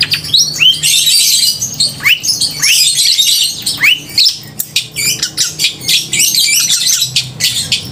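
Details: Long-tailed shrike in crisp, loud song intended to trigger emotion and breeding urge in rival shrikes: dense high chattering mixed with repeated rising slurred whistles, later breaking into rapid clicky, scratchy notes.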